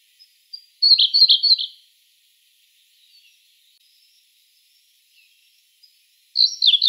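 Siberian blue robin singing: a few soft ticks, then a loud, rapid, high trill lasting about a second, repeated after a long pause.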